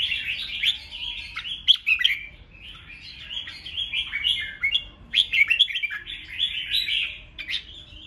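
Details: Provoking ché-style song of a red-whiskered bulbul, used to stir rival birds: nearly continuous chattering warble of rapid whistled notes, sharp accented chips scattered through, rising and falling in short bursts over eight seconds.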